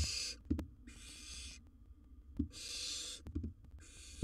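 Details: Nest-box recording of a wild barn owl swallowing big prey: four harsh hissing screeches of under a second each, spaced by short pauses, with occasional sharp knocks.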